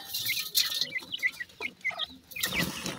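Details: Pheasant chicks eating feed: short, thin peeps slurring downward, scattered over the clip, with soft pecking clicks and rustling between calls.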